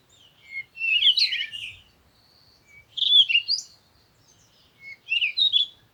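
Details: Three separate bursts of bright, jumbled twittering from a bird, each lasting about a second and spaced two seconds apart, with silence between them.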